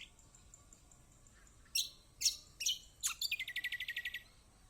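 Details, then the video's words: Kecial kombok song used as a lure for a bird reluctant to sing: a faint high whistle, then four loud, sharp downslurred chips and a rapid, evenly spaced trill of about twelve notes. "Masteran Kecial kombok/kecial kombo || Pancingan buat kecial kombok malas bunyi auto gacor!!"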